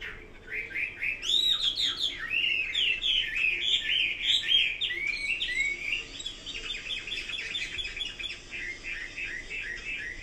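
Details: Chinese hwamei in full song, fast tumbling whistles and chirps climbing and dropping, loud for several seconds before trailing into softer rapid twittering.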